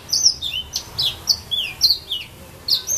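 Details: Yellow-fronted canary from Saint-Philippe, Réunion, perched in casuarina trees, giving bright, high twittering notes: short downslurred and upslurred whistles spaced a fraction of a second apart.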